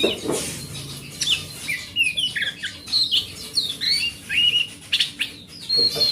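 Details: Wild oriental magpie-robin song, meant to trigger a mute magpie-robin to sing. Short whistled notes, buzzy chirps and slurred phrases alternate at an uneven pace, with some harsher notes at the start. A low hum is in the background.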